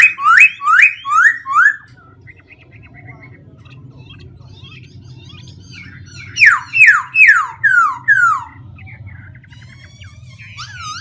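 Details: A Black-throated laughingthrush varying its voice nonstop: quick series of loud descending whistled strokes, a stretch of soft chatter, then another rapid run of falling whistles and a closing twisting note.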